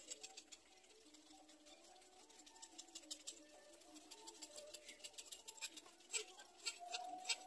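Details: A little black cormorant chick begging while trying to swallow its parent's head to feed: low, wavering, groaning notes broken by rapid dry clicks and ticks that grow sharper toward the end.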